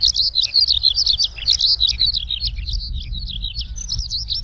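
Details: Passionate song of a Eurasian skylark on the ground, bright high twittering notes strung together rapidly, with rolling trills and quick slurred phrases, steady low rumble beneath.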